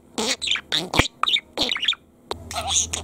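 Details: A lutino pet talking budgerigar chatters in quick bursts, mixing raspy mimicked syllables with high squeaky chirps in roughly seven short phrases over three seconds, with a low hum underneath.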